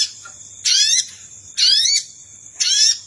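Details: Sogon bird lure call used to attract wild sogon: harsh, buzzy chattering bursts, each a third of a second long, about once a second over a steady high insect whine.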